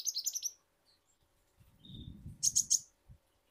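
Purple-throated sunbird giving thin, high chirps in quick runs of four to five notes, with a soft low rumbling noise in between.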